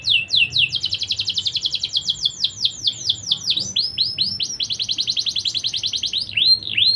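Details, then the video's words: Canary singing vigorously as a lure for young birds: a dense, continuous stream of high, falling chirped notes with brief rolling trills and a few sweeping whistles near the end. "Dongkrak Birahi kenari muda Dengan pancingan burung kenari gacor satu ini. Kenari gacor cuit-cuit"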